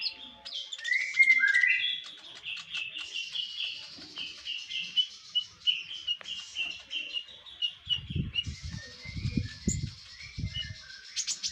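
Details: Konin singing a master song for songbird keepers: a rapid, varied run of chirps and short whistled notes sliding between mid and high pitch, with low thumping noises near the end.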